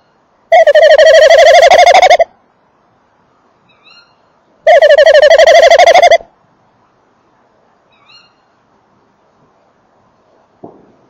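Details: Male tawny owl in and at its nest box, 19:48 on 28 December 2013, microphone close by: two loud pulsing trills of about one and a half seconds each, separated by a few seconds of quiet, with a faint knock near the end.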